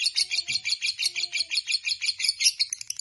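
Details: Lovebird giving a long ngekek chatter, a rapid string of shrill, scratchy high notes at about three per second, steady and unbroken, with a faint low tone in the background.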